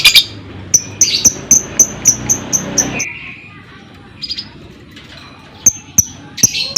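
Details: Lovebird in a lure track to provoke other lovebirds into ngekek: a quick run of high ticks and some harsher notes, a level whistled tone, a quiet gap, then scattered ticks returning.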